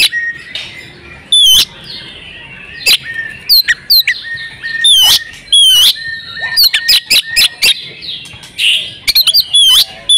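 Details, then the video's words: Oriental magpie-robin female in breeding condition, calls meant to get males singing: repeated curving whistles and crisp chips in irregular bursts over ten seconds, some fast clusters of clicks late on. "pancingan kacer jitu "AUTO" kacer bisu langsung gacor ngobra \\ kacer betina birahi"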